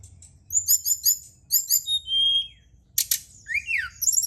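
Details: Night-time lure song of the brown-chested jungle flycatcher: clipped high chirps, then a level drawn-out whistle, a harsh rasping burst and a falling slurred note, on a quiet background.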